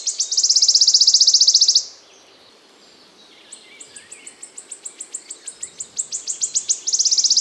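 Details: A wood warbler sings in spring in a forest in the Czech Republic: a high, shivering trill, a pause, then sharp ticking notes that speed up and blur into another trill.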